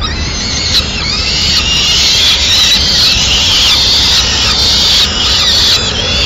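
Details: At a Madrid peregrine falcon nest where the male tears up a swift for the chicks, an almost unbroken stream of rapid, shrill squealing notes fills the recording.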